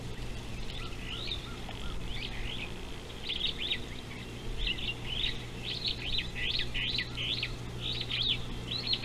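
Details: Superb starling on a live camera beside an African river, 19 July 2018, giving chattering runs of squeaky, rapidly repeated high notes over constant low-pitched background hum and faint outdoor noise.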